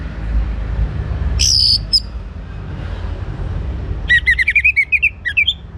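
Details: Orange-headed thrush, a young bird, sings to set other birds singing: a high thin whistle, a pause, then a rapid tumbling run of varied slurred notes, with low background rumble.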